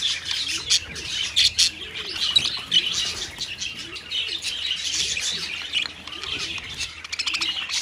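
A parakeet colony chatters nonstop in high, overlapping chirps and squeaky tweets, with faint low, rounded tones repeating underneath.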